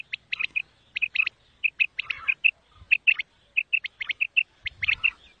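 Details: Common quail calling: crisp, liquid notes in quick groups of two or three, each group followed by a short pause, repeated steadily over a quiet background with faint low thumps.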